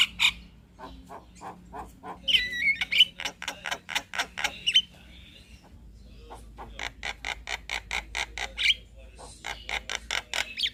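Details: Chattering Javan myna song meant as a master recording for teaching other birds: quick runs of clicking, ticking notes with a few whistled rising and falling slurs, a quieter gap midway, then renewed rapid clicking bursts.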